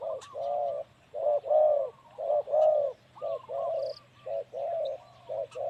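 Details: Male spotted dove kept as a ground decoy, cooing in a rapid series of short and longer mellow notes grouped in pairs. Faint high chirps from other birds and a low hum are audible.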